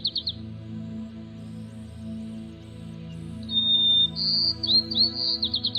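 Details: White-crowned sparrow, a brown-feathered bird of the Northeast, gives a clear, high, steady whistle followed by quick buzzy, trilled notes, with soft ambient music humming underneath throughout.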